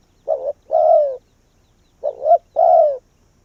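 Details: Spotted dove kept as a decoy calls to bring wild doves in, giving two phrases of a short wavering note followed by a longer falling coo, with a clear pause between.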